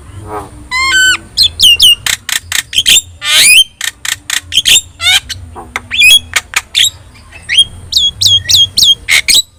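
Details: Javan myna (jalak kebo) with yellow eyes, kept in Indonesia as a song tutor for other birds; rapid series of sharp clicks, harsh squawks and short whistled slurs in quick, uneven bursts over a low steady hum.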